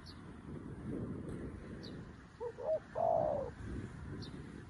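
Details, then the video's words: A newly caught decoy spotted dove calling to wild doves. It gives a single phrase of two soft clipped notes and a longer, louder rounded coo, against steady background hiss and faint distant chirps. "លលកថ្មីមែន តែធ្វើហៅព្រៃដូចធ្នាក់ចាស់"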